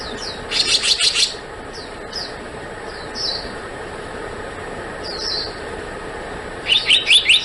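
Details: Black-naped monarch: a fast series of five ringing high notes, a few isolated short descending whistles at intervals, then another rapid burst of four sharp notes near the end; constant hiss behind.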